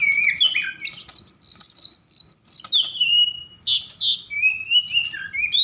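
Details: Excited Oriental magpie-robin song meant to stir other magpie-robins to sing, made of clear sweeping whistles, looping slurred notes and two short buzzy bursts near the end.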